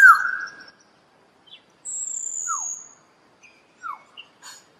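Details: Common hill myna, Gracula religiosa, gives a short, sparse series: a loud falling slurred note, a long high thin whistle, then a few quick downward-slurred notes and soft chips separated by silences.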